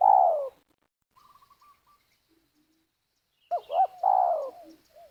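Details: Spotted dove at a trapping site with snares in Liwa, West Lampung, Indonesia. A falling coo and a soft fluttering series come first, then a complete phrase of two short rising-falling notes and a long, sliding, throaty coo.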